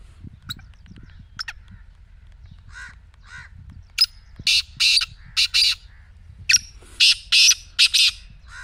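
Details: Black francolin calling, played to coax a quiet partridge into calling: a few faint scratchy notes, then two loud phrases of rasping, buzzy notes in quick succession, each phrase with four or five harsh syllables.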